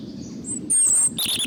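Robin giving a brief burst of thin, high, squeaky notes, a sharp trill followed by a warbled phrase, over a low background hum.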